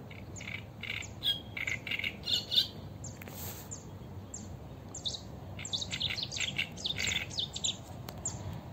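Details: Eurasian reed warbler recorded live along the Sarno river, giving scratchy, chattering song phrases of harsh clicks and churring notes in uneven runs, pausing briefly midway, over constant hiss of background noise.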